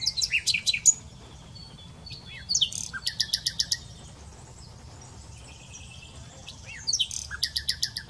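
A common nightingale sings three short phrases of rapid, high, repeated notes and chirps, separated by pauses of a few seconds. A faint low hum sits underneath.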